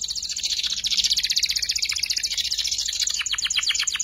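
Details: Young canary learning to sing, kept as a tutor recording for magpie-robins and fighter white-rumped shamas; a dense, rapid high buzzy trill of repeated notes, ending in a run of quick descending chips.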